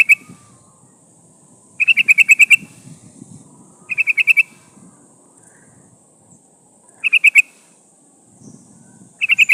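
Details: Female yellow-vented bulbul calling to attract a male, used to lure wild birds: short rattling bursts of four to seven sharp notes every two to three seconds against a constant high-pitched hiss and faint low noise.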